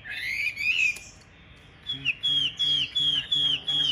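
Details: Caged Chinese hwamei singing during a fighting display: a rising, warbled whistle, a pause, then clear descending whistled notes repeated steadily about three times a second.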